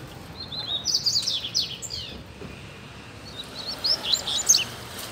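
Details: Wild, free-living double-collared seedeater in a residential neighbourhood, singing two quick bursts of high twittering, slurred notes roughly a second apart, over a steady low hum of background noise.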